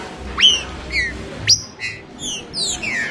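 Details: Green-winged saltator singing short, bright whistled phrases: rising then falling slurred notes and high downward sweeps, spaced roughly half a second apart over a soft, steady background.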